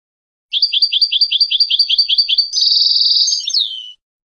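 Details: European goldfinch from Palestine singing: a rapid run of about a dozen paired tinkling notes, then a fast buzzy trill ending in a downslurred twitter, clean and free of background noise.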